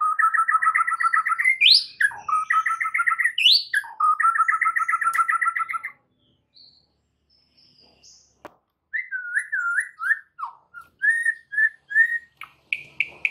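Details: Oriental magpie-robin song of the full 'isian' (filler phrases) style, used to train other birds. It repeats fast two-tone whistled pulses with upswept notes, then a pause, then varied looping whistles and rising chirps.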